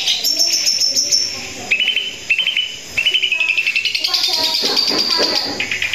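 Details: Long-tailed shrike in full, energetic song: loud varied phrases of harsh whistles and chattering, then fast runs of sharply repeated notes rattled off in steady series without pause.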